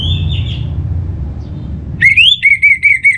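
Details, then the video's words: Orange-headed thrush from North Bali singing a lure phrase: a faint distant whistle, then a loud rising whistle and four evenly repeated clear whistled notes. "Trbaik Buat Pancingan Burung ANIS MERAH Agar Gacor"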